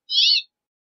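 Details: Brief harsh buzzy note from a Brambling, lasting about a third of a second, rough and wavering, in silence otherwise.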